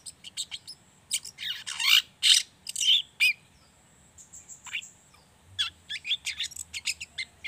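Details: Lively pied bushchat song played as a lure to prompt other bushchats into singing: rapid series of high chips, harsh buzzy bursts and quick twittering notes, a brief pause, then another fast run of tweets.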